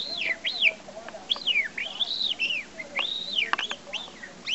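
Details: Young pet male parrot, five months old, that knows about 20 to 25 words and several whistles taught by its owner; a run of clear arched whistles, rising then falling, with faint clicks and room hiss.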